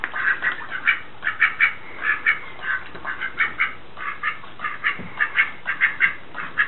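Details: Male Muscovy duck beating up a doormat while warning off a rival Muscovy male outside the window who is looking at his mate. Short, rough, breathy calls come in quick bursts of two or three, repeated steadily with brief gaps.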